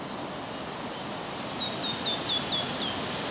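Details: Red-breasted flycatcher (Ficedula parva) north of Översjön, Järvafältet, Sweden, on the morning of 30 May 2011, sings about ten high, clear, sharply down-sliding notes, over a faint hiss from strong wind.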